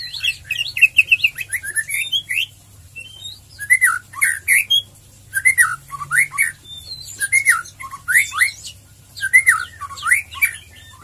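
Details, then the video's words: White-rumped shama song in bursts of varied whistled and chattering phrases, rising and falling sweeps repeated every second or two with short pauses between, a faint low hum beneath. "Murai Batu ngeriwik ngeplong Pancingan Cepat Murai Batu Bikin gacor ngeplong"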